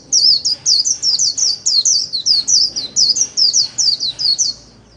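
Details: Ornamental white-eye singing 'líu' solo for training: a loud, continuous run of rapid, rippling high twitters, about four per second, lasting nearly the whole five seconds.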